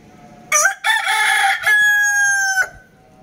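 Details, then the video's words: Rooster crowing once: a broken, raspy opening followed by a long, steady, harmonic note held for about a second before it cuts off abruptly. "Rooster Crowing Sound"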